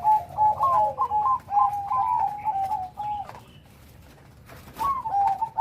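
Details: Bangkok-type zebra dove in full, active song with a big voice and complete rhythm: a run of rolling, trilled coos for about three seconds, a short pause, then the cooing resumes. Faint clicks in the background.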